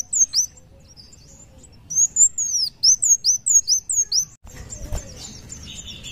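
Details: Thin, high sweeping chirps of a kolibri wulung (muncang daun) in an active song burst, around a dozen quick notes, then a harsh broadband rustle or noise for the final two seconds.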